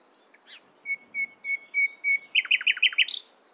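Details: Nightingale singing in the morning: a long thin held note, then a steady series of pure whistled notes at one pitch that swell in loudness, closing with a burst of loud, sharply falling notes.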